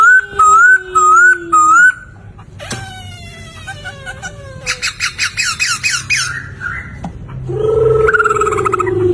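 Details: Lively poksay laughingthrush song, offered as a master recording for training other songbirds: clear whistled phrases rising and dipping around mid pitch, then a steep falling whistle, rapid repeated chattering notes, and a long wavering whistle near the end.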